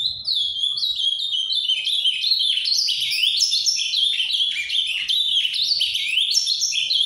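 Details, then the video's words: A caged ultramarine grosbeak sings steadily in the Paraná style, pouring out a long unbroken warble of quick rising and falling whistled notes, loud and clear throughout. "AZULÃO CANTANDO MUITO (AZULÃO FARRAPO)"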